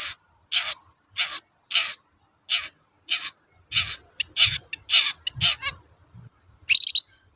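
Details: Long-tailed shrike used as a lure to excite other shrikes into song: a series of rasping, harsh notes about every 0.6 seconds, quickening into a tighter chattering burst, ending with one squeaky note, with low thuds underneath.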